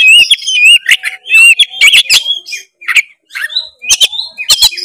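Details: Oriental magpie-robin in vigorous song for provoking a lazy bird, with long wavering whistles, sweeping slurred notes and sharp clicking bursts.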